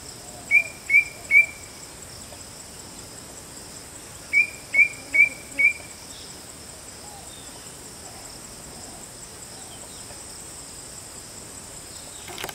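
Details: White-bellied drongo: two bursts of short, bright whistled notes, three then four, evenly spaced in quick succession, separated by several seconds of quiet with steady faint high-pitched hiss.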